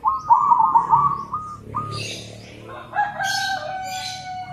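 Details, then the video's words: Local and crossbred zebra doves calling back and forth: a rapid, pulsed, warbling trill held steady near one pitch, then steady whistled tones with higher hissy bursts and a faint low background hum. "Suara perkutut lokal dan crosing saling sahut rame semua ikut bunyi"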